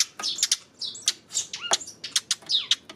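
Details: Eurasian tree sparrow chirping on 28 May: bright, clipped high chirps about every quarter second, mixed with a few short downslurred notes.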